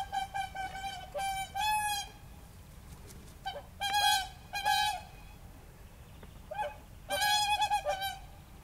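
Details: Whooper swans in Tartu county, Estonia, on 13 April 2013 give loud, brassy, trumpeting honks in short bursts of two or three notes, several birds overlapping, over a low background rumble.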